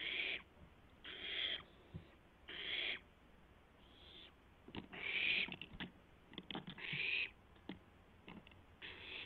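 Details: Barn owl owlet on a live nest camera testing its wings just after midnight on April 12, 2016; a series of loud, harsh hisses, about half a second each, interspersed with clicks and shuffling noises.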